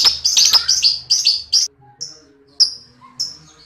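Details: Lovebird heard in ngekek-style chattering for training other lovebirds: a fast string of bright, ringing chirps for about a second and a half, then a few isolated sharp notes.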